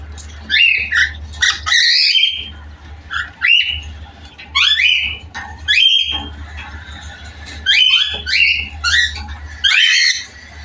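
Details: Two baby cockatiels (Nymphicus hollandicus) give harsh, raspy chick squawks in quick bursts, with a low steady hum beneath.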